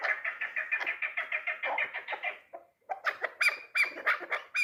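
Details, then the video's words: Hunting chukar partridge, three years old, calling in rapid, harsh, repeated chuk notes about three per second, pausing briefly, then resuming with sharper, louder notes. "Кабки дулан"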